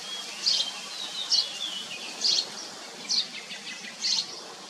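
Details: Common iora feeding chicks: five bright, high chirp bursts, roughly one each second, with faint whistled notes between them and quiet background noise.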